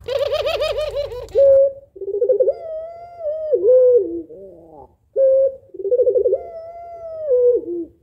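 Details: Female spotted dove calling to stir a lazy male into cooing: a brief rough sound at the start, then soft low cooing phrases, a clear steady hoot and a trembling, undulating coo that drops away, heard twice.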